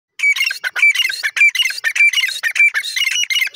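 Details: Irani teetar, a francolin, calling in a dense chorus of harsh, scratchy notes. The notes overlap and repeat roughly twice a second and stay high and raspy throughout, with no other sounds.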